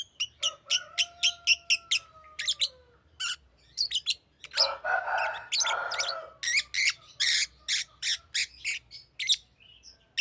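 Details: Green lovebird chirping rapidly with dense sharp high notes, a raspy chattering stretch in the middle, and a faint sliding whistle-like tone early on.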